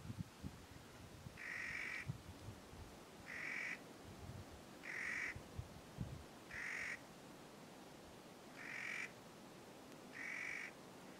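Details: Clark's nutcracker giving harsh, grating, drawn-out calls, each about half a second long, repeated roughly every one and a half seconds, over low rumbling background noise.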